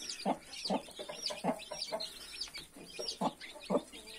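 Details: Mother hen clucking beside her 31 newborn chicks. About eight soft, low clucks in four seconds, with high chick peeps chirping throughout.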